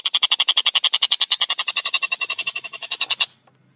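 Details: Collared kingfisher singing hard with clear, fast, closely spaced notes: one unbroken rattle of about three seconds, harsh 'kek' notes repeated several times a second, ending abruptly.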